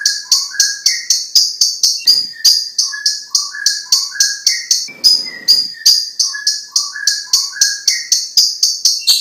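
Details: Green leafbird song from a masteran recording for training songbirds: steady repeated phrases, each a high sharp note paired with a short lower whistle, several per second, with one brief harsh rasp midway.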